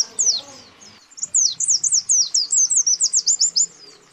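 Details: White-eyes, a male and a female, calling out to a rival. After a brief opening note comes one long, fast run of sharp, high, sliding chirps, about four per second. A soft low rumble sits in the background.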